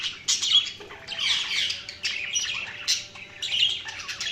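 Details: Budgies chattering with scratchy warbles and sharp squawks repeated in quick bursts, a lively flock sound with little background noise.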